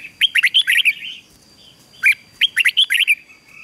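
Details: Red-whiskered bulbul song for training: two quick runs of bright, bubbly whistled notes, each of about six notes.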